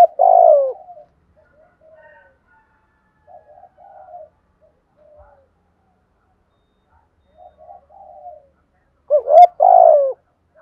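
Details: Spotted dove cooing vigorously. It opens with a loud, low coo, then a series of soft, muted coo phrases, and near the end a pair of strong, rolling coos. The background is quiet, with a faint click midway.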